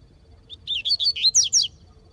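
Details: Double-collared seedeater singing vigorously in the bush alongside a free-living seedeater: a quick run of sharp, slurred whistled notes, each rising and falling, about ten notes in just over one second over a quiet background.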